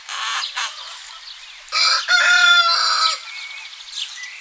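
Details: A rooster crows on a spring morning in a village in Greece: one loud, drawn-out, harmonic cock-a-doodle-doo lasting over a second, preceded by softer clucking and backed by faint wild birdsong.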